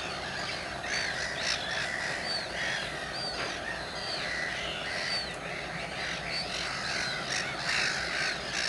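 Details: Common terns at RSPB Saltholme, 17 July 2012: a busy chorus of harsh, scratchy calls and sharp higher squeaks from many birds at once, irregularly repeated, over a low steady hum.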